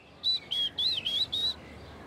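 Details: Short-toed Treecreeper singing in a Paris park: five high, thin, evenly spaced notes, some slightly rising or dipping, delivered in a quick series over about a second and a half.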